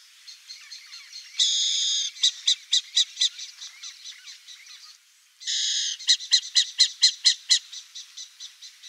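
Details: Burrowing owl (Athene cunicularia) in Brazil gives a harsh, raspy screech of about half a second, then a quick run of dry, clicking chatter notes, the sequence repeated twice.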